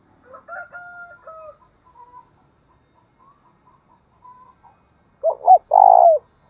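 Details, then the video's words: Spotted dove used as a lure to stimulate another dove. Thin drawn-out hoots and soft scattered notes give way to a loud set: two short coos followed by one long, full coo. "tiếng cu gáy thúc bổi"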